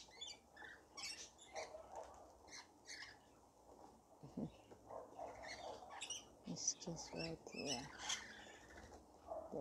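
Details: Many rainbow lorikeets crowding in to be fed in a feeding frenzy, giving sharp grating shrieks and chatter in rapid clusters, roughly two bursts a second, loudest near the end.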